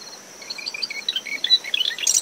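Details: Marsh wren in coastal dune shrubs near its nest at dawn, windy after a storm: a scattered series of short whistled and chipping notes at varied pitches, leading into the start of a buzzy trill; cricket and surf in the background.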